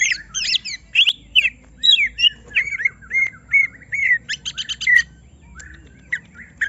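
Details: Greater green leafbird worked up by a rival's presence pours out varied song: rough chattering phrases, looping whistles, a brief rapid stutter of clicks, then scattered soft notes near the end.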